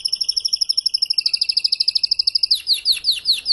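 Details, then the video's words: Spanish timbrado canary, a breeding and tutor male, starting to unfold its repertoire after moulting: a fast, even run of about twenty-five ringing notes, slightly falling in pitch, then slower, sweeping notes that change rhythm. "TIMBRADO RODOS"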